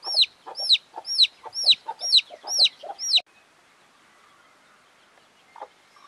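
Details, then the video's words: Chicken chicks peeping: seven loud, sharp notes that sweep downward, repeated about twice a second for three seconds, followed by near silence with one faint soft note. "Chicken's Chicks Sounds and Chickens Clucking Sounds - Chick Noises Alarming Rooster Squawks"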